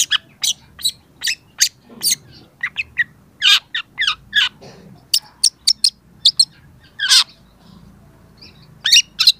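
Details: Vigorous song of a young long-tailed shrike used as a lure recording: scattered sharp chips, buzzy notes and brief harsh bursts in irregular groups, with pauses and a low rumble in the background.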